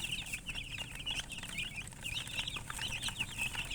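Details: Dense, loud chicken chirping, shrill wavering peeps overlapping almost continuously with barely a gap.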